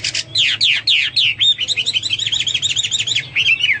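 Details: Hwamei song from a pet bird: several loud downslurred whistles, then a rapid run of short repeated notes, ending in a sliding whistle.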